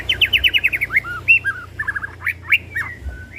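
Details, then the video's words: White-rumped shama in an emotional lure song meant to make birds unload their repertoire: a fast series of sharp descending notes, then varied slurred whistles, rising and falling sweeps and short warbles, loud and clear. "Pancingan Murai Pastol Emosi & Bongkar Isian"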